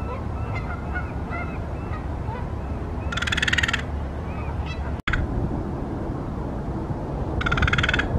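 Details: Crow making an unusual call while eating: two harsh, rasping, drawn-out caws about four seconds apart, with soft honking notes and a steady low rumble behind.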